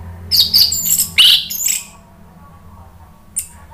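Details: Orange-headed thrush singing a provoking song for other birds to answer: a rapid burst of squeaky, high varied notes lasting under two seconds, then quiet and one last thin note.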